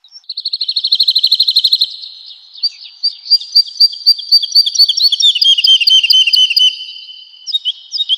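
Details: Singing woodlark in a spring forest opens with a rapid buzzy trill of evenly spaced pulses, then shifts to looser rolling, slurred notes falling in pitch.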